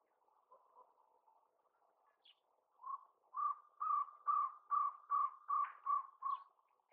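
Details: A jungle owlet calling in Tadoba National Park, Maharashtra, India, in February 2020 gives a run of hollow, mid-pitched notes, two or three a second, building from soft to loud; a faint high chirp sounds once.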